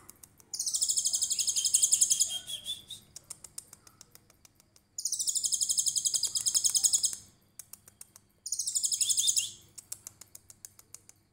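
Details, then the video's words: Konin, trotol variety, in tembakan cililin style used as a tutor recording for songbirds: three loud, very high rapid trilled bursts of about two seconds each, separated by sparse ticking notes. "KONIN TROTOL GACOR VIRAL 2021 FULL TEMBAKAN CILILIN COCOK BUAT MASTERAN"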